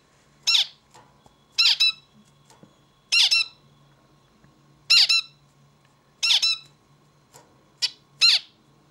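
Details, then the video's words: Zebra finch song: seven harsh, nasal buzzy notes, mostly paired, each with a falling sweep, repeated about every one to one and a half seconds in a quiet indoor room. "Bird sings beautifully - zebra finch"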